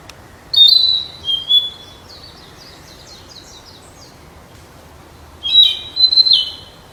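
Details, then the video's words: Flycatcher singing in the wild: a high whistled phrase that breaks into a fast, fading trill of short notes, then silence, then a second whistled, slurred phrase, over light hiss. "Burung sikatan di alam liar"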